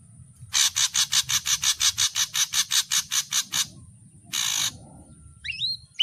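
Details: Ashy drongo song in its full variations: a long run of about eighteen harsh, rasping notes at an even quick pace, then a drawn-out scratchy burst and a brief whistled slur, with a steady high whine.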